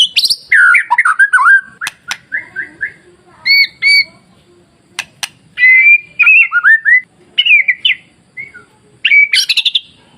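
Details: Murai batu, the white-rumped shama, in a masteran recording meant to provoke other shamas into singing: loud, varied whistled phrases, slurred and rising notes, sharp clicks and brief high chatters, separated by short silences.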